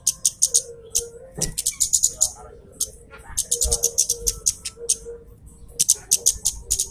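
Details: Javan cochoa loud call played as a lure to provoke a rival, heard as rapid bursts of high sharp notes repeated many times, with a lower steady tone running beneath and occasional thumps.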